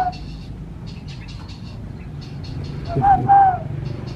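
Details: Tame zebra dove giving a short pair of soft, tonal coos near the end, low and slightly falling, against steady background hum and faint high chirps from other small birds.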